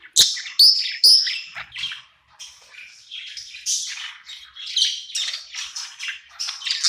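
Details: Happy at night in its new home, a budgerigar opens with a few loud sharp squawk-like chirps, then keeps up a rapid scratchy chatter of mixed high notes.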